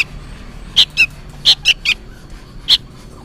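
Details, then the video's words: Sooty-headed bulbul chick calling for its parent: about six harsh, buzzy chirps delivered in quick uneven clusters, ending with a single note after a short pause. "suara burung kutilang anakan gacor ribut seperti memanggil induknya"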